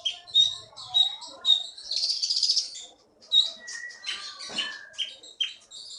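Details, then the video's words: Caged songbird from Bangka, Indonesia, a prize-winner at local contests, giving high ringing chirps, a fast buzzy trill and sharp downslurred notes with short gaps between them. "KEETY BURUNG JAWARA FULL GACOR"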